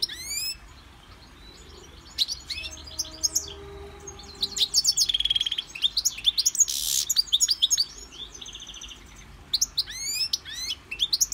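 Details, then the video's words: European goldfinch kept in a Victorian brass cage and trained to sing from a CD delivers a long, tinkling, twittering song of quick rising and falling high notes with short buzzy trills and brief pauses. "Goldfinch singing in Victorian brass cage"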